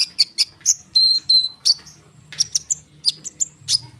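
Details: Energetic konin bird pouring out dense song meant to draw sunbirds into responding, with sharp high chips interrupted by flat whistled notes, roughly three notes a second.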